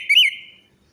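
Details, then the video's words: A single brief, bright whistled phrase with a slurred up-and-down note, from orange-headed thrush song used as a lure to make a quiet or stressed bird sing. "pancingan Anis merah macet bunyi,males bunyi atau stres"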